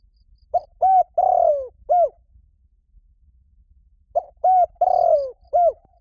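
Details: Lure recording of a spotted dove calling for a mate: two identical low cooing phrases about four seconds apart, each a quick short note, a steady hoot, a long descending rolling coo and a closing hoot, with silence between.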